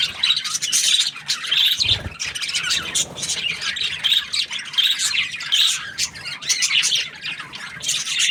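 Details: Happy budgerigar chirping in a dense, continuous chatter of high, rapid chirps and scratchy warbles that overlap almost without pause, with a brief low thump near the two-second mark.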